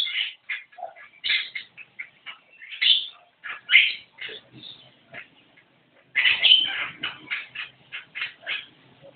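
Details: Energetic "gacor" singing from a Javan myna, a long run of short, scratchy and squeaky notes in irregular clusters, with a brief pause before a dense, loud chattering stretch.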